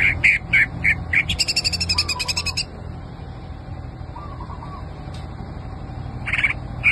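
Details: Greater green leafbird, a kept songbird: bright chirped notes repeated in quick bursts, a rapid buzzy rattled trill in the middle, softer twittering between phrases, with a low steady hum beneath.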